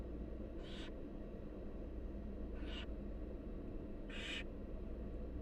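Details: Barn owl chicks in the wild, fed by their mother, give three rasping hissed screeches, each under half a second, roughly every one and a half seconds against a constant low droning hum.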